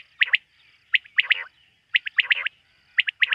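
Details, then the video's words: Quail calling by night, from a quail-hunting context: emphatic three-note phrases, a lead note then a rapid pair, repeated about once a second, sometimes with a rasping tail, and little else heard. "Bater ki rat wali awaz ۔۔quail sound of night"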